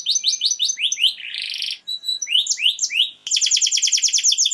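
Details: Canary (Serinus canaria), song.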